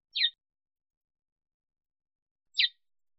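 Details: African sparrow call: two clean, downward-slurred chirps, one at the start and one about two and a half seconds later, with silence around them.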